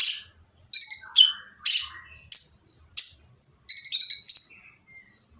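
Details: Harsh, noisy purple-throated sunbird song used to stir silent birds into answering. Quick series of sharp, high, scratchy chirps about every half second, with a few buzzy rattling notes and a thin rising whistle at the end.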